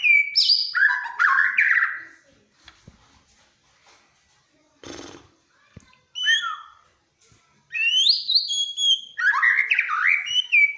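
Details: White-rumped shama singing loudly, a song credited with getting other birds to sing: bursts of rapid varied whistles and slurred notes separated by silent gaps and a short noisy rustle.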